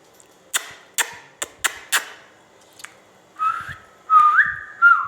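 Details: Ringneck parrot kept as a talking pet. Five sharp clicks or taps come first, then three drawn-out whistled notes held at one pitch, the last with a wavering rise, heard indoors.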